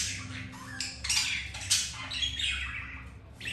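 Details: Pet budgerigars during mating, male with a hen after another white-grey female rejected him; rasping squawks and slurred descending chirps run together, soft background hum.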